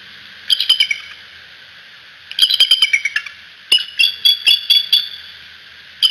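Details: At the Decorah nest, the bald eagle parents give three bursts of shrill, squeaky chittering from a nest camera. Each burst holds six to eight rapid high notes, with quiet gaps of about a second between bursts.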